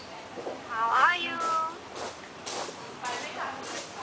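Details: Talking common hill myna in Hua Hin imitating a human greeting: an early rising, voice-like harmonic phrase followed by a flat tone, then several softer breathy bursts spaced about half a second apart.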